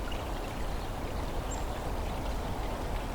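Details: Steady rushing of flowing or pouring water, with no animal calls standing out.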